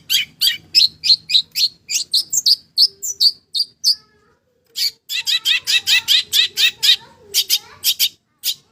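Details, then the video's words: Javan long-tailed shrike singing energetically with mimicked fills: bursts of sharp, high chirps, a brief pause near the middle, then a dense, rapid volley of crisp notes. "Kicauan terbaik cendet Jawa gacor full isian jernih"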